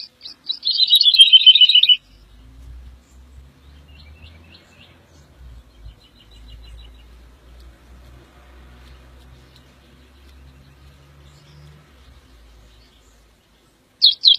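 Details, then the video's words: Woodlark (Lullula arborea) singing: a loud two-second phrase of rapid, liquid notes sliding downward, then long near-silence with faint distant chirps and low rumble, before a fresh high phrase starts at the very end. "The song of the Woodlark -Lullula arborea -Δεντροσταρήθρα"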